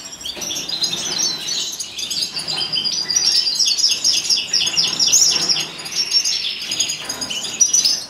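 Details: Wild Atlantic canary (Serinus canaria) recorded in 2015, singing a fast, unbroken run of high twittering trills and rattles that shift in pitch for about eight seconds.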